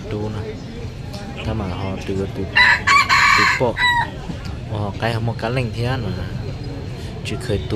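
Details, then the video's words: F2-line young red junglefowl, dated 23/12/2025, gives a bright, strident crow of roughly one second with a drawn-out ending, clearly standing out above a man's continuous talking that fills the rest of the recording. "Qaib dib zoo nkauj"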